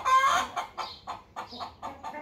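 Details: A hen calling after laying an egg: one drawn-out opening note, then a quick run of clucks about four per second.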